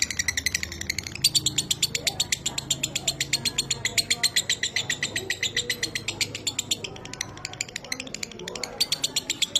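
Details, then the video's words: Lovebird 'minor kering' song used as a training recording for pet birds: fast, dry, rattling chirps repeated roughly four times a second without pause, with faint low background hum. "Masteran Suara Lovebird Minor Kering, Terbukti Cepat Cetak DOBELAN"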